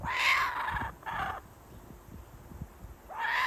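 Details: A kookaburra father teases a chick with food, making it wait before feeding it (the owner thinks he was first offering it to his partner); harsh, raspy squawks in two bursts, a pause, then a rising screech, with faint hiss.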